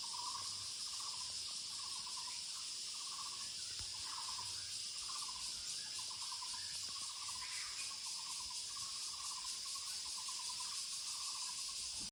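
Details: Muller's barbet calling in woodland with steady trains of throaty pulsed notes over twelve seconds, partly masked by a very loud, high, continuous insect drone.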